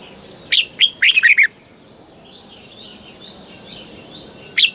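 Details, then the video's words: Red-whiskered bulbul from Thailand singing in the southern master style, played to excite birds and teach young birds. Two single chirps lead into a quick run of about five bright whistled notes, then a pause and one last chirp. "เสียงนกกรงหัวจุก สำหรับต่อ หรือ เปิดให้นกคึก เสียงเพราะๆ"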